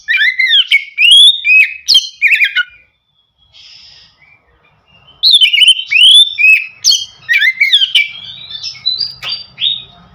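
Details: An Oriental magpie-robin gives a full-voiced call summoning its parent, loud, clear whistled notes that swoop up and down in quick varied bursts.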